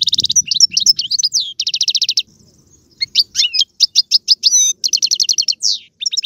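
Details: European goldfinch singing, used to stimulate a pet bird: fast trills of repeated notes alternating with bright twittering phrases and rising chirps, a short silent gap midway, then more rattling trills and a slurred note.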